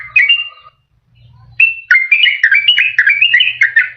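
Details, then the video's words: Yellow-vented bulbul song used to attract wild birds and to coax quiet caged birds: a short whistled phrase, a pause with a low hum, then a quick chattering string of liquid notes. "SUARA PIKAT BURUNG TRUCUKAN PALING DI CARI || BISA JUGA BUAT PANCINGAN TRUKAN MALAS BUNYI"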